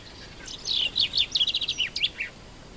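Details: Common chaffinch from Morocco singing one full phrase: a quick run of bright, descending chipping notes that speeds into a rattling series and ends in a short downslurred flourish, all high-pitched over a quiet background.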